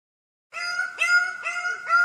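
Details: Bird-of-paradise singing during its dance: after half a second of silence, four loud, nasal, strongly harmonic notes, each beginning with a short rising slur before holding a steady tone, given in quick succession.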